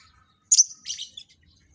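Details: Captive lovebirds during pairing for breeding; one loud, piercing chirp followed at once by a buzzy, twittering trill and a brief final peep.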